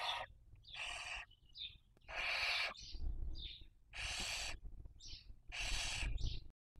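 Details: Barn owl (Tyto alba) at a nest webcam, Cabañeros National Park, Spain, 2023 breeding season: four harsh, breathy hissing screeches about every second and a half, each trailed by a short higher squeak, over a low background rumble.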